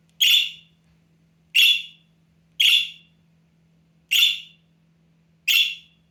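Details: Pet budgerigar nestling, half-grown, calling hard for attention: five loud rasping squawks spaced roughly every one to one and a half seconds, each dropping off quickly, over a low constant hum.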